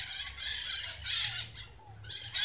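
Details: A large flock of Scaly-headed parrots (Pionus maximiliani) feeding on tamarind flowers, hidden among the leaves and arriving each year at this season; a dense chorus of harsh, overlapping squawks in bursts, with a lull in the middle.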